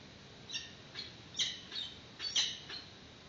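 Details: Peregrine falcons at a nest webcam of the Santa Cruz Predatory Bird Research Group, March 2019, at the first feeding of a chick as an adult arrives with a yellow bird; soft, short, squeaky high notes, about seven in three seconds, over steady hiss.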